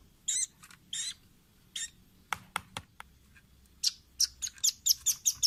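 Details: Velvet-fronted nuthatch calls recorded as a training track for caged birds to imitate: short high chirps and squeaky notes, then a quickening run of sharp high chips near the end.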